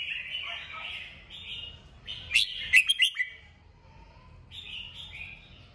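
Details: Kích bổi style song of a red-whiskered bulbul used to trigger singing: soft warbling, then a loud chattering burst of sharp chirps, followed by quieter rolling phrases.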